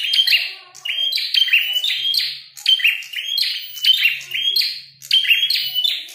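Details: Prinia described as red-headed, fighting and in full song, giving loud, scratchy buzzing phrases mixed with sharp clicks, delivered in rapid bursts about once a second over several seconds; a soft low hum sits faintly behind.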